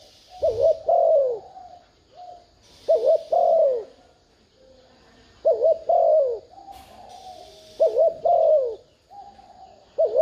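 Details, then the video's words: Spotted dove decoy giving thúc gù urging coos meant to make wild doves answer: low, mellow two-part phrases, a wavering note then a longer falling coo, repeated roughly every 2.5 seconds, with bursts of soft hiss between. "Tiếng chim cu gáy thúc gù kích mồi mở lên bổi gáy liền"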